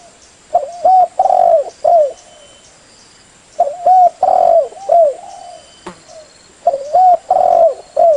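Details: Tekukur, the spotted dove, singing a lure song for trapping birds: three phrases of soft cooing, each a short note, a rising-falling coo, a long buzzy coo and a closing falling note, repeated roughly every three seconds.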